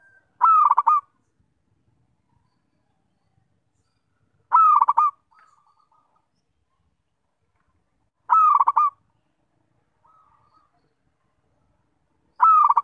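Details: Zebra dove, local bird, cooing regularly: four phrases roughly every four seconds, each a clear level coo followed by rapid pulsed notes, with a faint soft trailing note after some phrases; quiet background.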